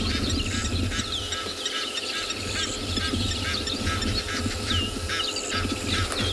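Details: Egyptian geese at a South African game reserve on an afternoon drive in late December give harsh, hoarse honks and cackles in rapid, overlapping bursts, over a low engine rumble and a man's voice talking.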